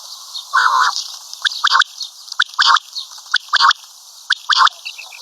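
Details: Common quail, locally batair or karkari batair; a rough broad nasal burst opens, followed by clustered quick sharp notes in twos and threes, about one group per second, with faint high chips near the end.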